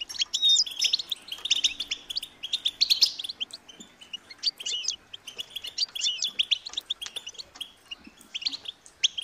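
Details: Begging calls of European goldfinch chicks asking parents for food: busy, high-pitched chattering from several birds, loudest at first, then continuing in uneven bursts of short chirps.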